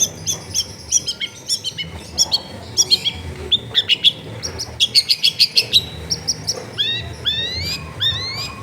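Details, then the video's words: Long-tailed shrike singing in a densely populated residential area: a long, varied string of crisp chips and whistles, with a fast-paced burst mid-song and rising slurred notes near the end. "TERBUKTI TERAPI CENDET MALAS BUNYI LANGSUNG NYAUT"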